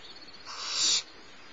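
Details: Barn owl owlet being fed by its mother at a nest in Starr Ranch, mid-morning around 10:30; a single harsh, noisy hiss about half a second long, rising in loudness and ending abruptly, over a faint steady background hum.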